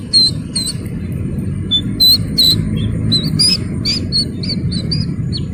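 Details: Slaty-legged crake chick peeping more softly: scattered, high, slurred notes, a few sharper, then a closer series of short peeps near the end, over a noticeable low rumble.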